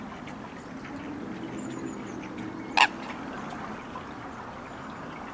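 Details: An Eastern Great Egret at the Sydney Olympic Park wetlands in Australia, August 2023, gives one loud, harsh, croaking squawk over a steady hiss, just after a faint thin whistle from another bird.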